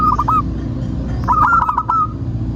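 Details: Local zebra dove in full song, used as a lure to get other doves singing: a short burst of soft hooked cooing notes, then a longer rapid string of bubbling coos, over a steady low rumble.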